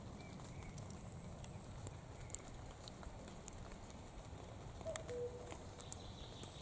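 A common cuckoo gives one soft two-note 'cu-ckoo', the second note lower, late in the recording over steady low rumble and faint high chirps.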